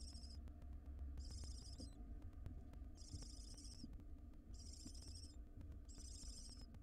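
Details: A wild barn owl mother at her nest box with a ring-necked parakeet she has caught. Five rasping, hissy screeches about half a second long repeat roughly every second and a half over a low background drone.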